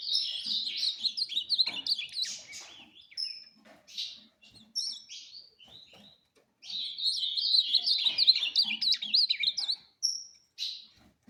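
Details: Ultramarine grosbeak, a tournament bird, sings in the fast 'fibra' competition style: two long, rapid warbled phrases of sliding, whistled notes separated by scattered short chirps and brief pauses.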